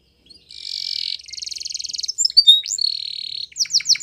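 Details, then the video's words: Spanish Timbrado canary song used for training: a long buzzing trill followed by a faster metallic rattle, a clear sustained whistle, then sharp rising chirps, all high-pitched and clean. "Canary's Most Powerful Song For Training !! Spanish Timbrado Song"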